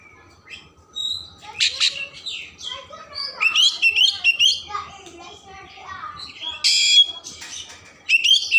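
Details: Oriental magpie-robin song intended to stimulate emotion and tail opening, a rich mix of sliding whistles, chattering notes and sharp rasping bursts in irregular phrases.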